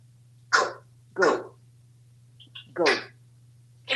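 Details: Talkative pet African Grey Parrot at home in Texas: four short, separate spoken-word bursts about half a second to a second apart, each broad and breathy, against a steady low hum.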